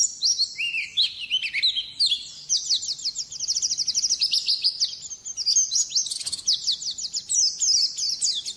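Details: White-eye singing for training songbirds: a long, lively, high-pitched warble of rapid chirps and fast trilled runs, dipping lower briefly near the start, then pouring out continuous twittering with one short click-like sound.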